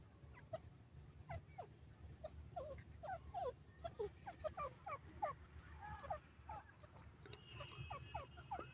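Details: Grey francolin, known locally as dakhni teetar, calling: a long series of short, mid-pitched, falling notes repeated rapidly and unevenly, over low rumbling background noise.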